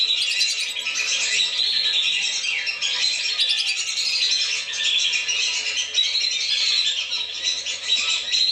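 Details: Lure recording of lesser whistling ducks, played to draw the birds down: many overlapping shrill whistled notes and squeaks forming a steady, busy flock chatter that swells slightly in waves.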